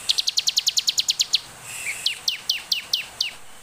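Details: Olive-backed tailorbird song for luring other birds to sing: a fast train of sharp high ticks, then a slower series of down-slurred whistled notes repeated about every quarter second.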